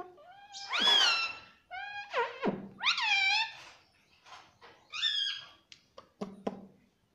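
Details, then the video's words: Pet parrot said to say "Mummy" indoors: several drawn-out, nasal, speech-like notes with rich harmonics, some rising then dropping, mixed with short buzzy syllables and scattered sharp clicks. "Talking parrot Mummy Mummy - tota - mitthu mitthu - pattu Parrot Talking"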